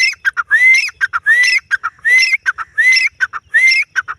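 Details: Female grey francolin (teetar) calling: loud phrases of a harsh note followed by a clear rising whistle, repeated about every seventy hundredths of a second in a steady, ringing series.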